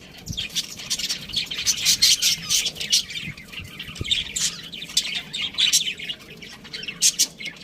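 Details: Budgies chatter in a steady stream of high, squawky chirps and fast twittering trills, with a single sharp click partway through.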